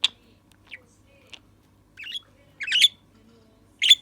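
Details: Young male budgerigar kept as a pet, before it learned any words, giving scattered sharp, high chirps: thin single notes at first, then louder rasping squeaks near the end.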